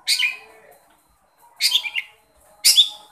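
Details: Long-tailed shrike calling to a shy shrike: three harsh, buzzy, high bursts about a second apart, each broad and scratchy with a brief trailing note between.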